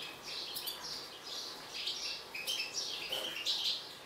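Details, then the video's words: Agitated mutant European goldfinch: fast, high-pitched chattering twitters and tinkling chirps packed tightly in a continuous run. "حسون طفرة هائج"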